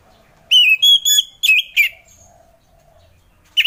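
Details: Orange-headed thrush singing in the relaxed ngeplong style: a short run of clear, loud whistled notes, some steady and some bending up and down, closing with a slurred phrase, then quiet before one more note starts.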